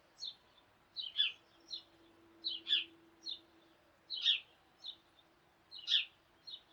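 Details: Morning sparrow flock calling; repeated short chirps, often in pairs, roughly forty per minute, over a soft background hiss and a steady low hum.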